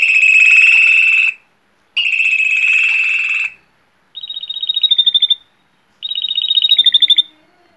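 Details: A Spanish Timbrado canary sings long, continuous metallic "ri-ri-ri" timbre trills, then shorter rapid pulsed rolls, each about a second and a half, with brief pauses between.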